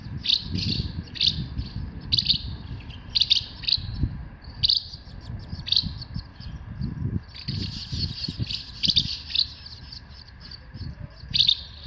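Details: Asian house martins in Himeji, Hyogo, Japan, 4 May 2021 around 11:24, give short, dry chirps in quick bursts, several birds twittering over one another, with a low rumble of wind or traffic beneath.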